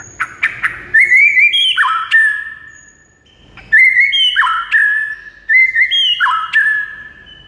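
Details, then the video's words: Song of a white-rumped shama, played to get a quiet bird singing: a few sharp clicks, then a phrase of stepped whistles and falling slurs, a pause, and two more near-identical phrases. "JADIKAN MURAI BATU BISU LANGSUNG NGAMUK DAN GACOR MENDENGARNYA"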